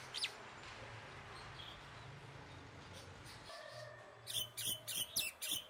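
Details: Common myna giving a quick series of harsh, broadband chirps, about six bursts in under two seconds, following a long stretch of low background hum and faint distant sounds.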